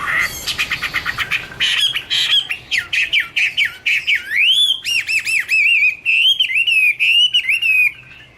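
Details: Chinese hwamei song beginning with a fast series of repeated clipped notes, then moving into loud, clear whistled phrases with deep swooping slurs and ringing bell-like repeated notes, ending in a sustained whistle.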